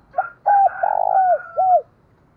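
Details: Spotted dove kept as a decoy, calling to provoke others into cooing; a short note, a level coo, a long vibrating coo and a downward-curving coo, with a fainter, higher dove coo overlapping.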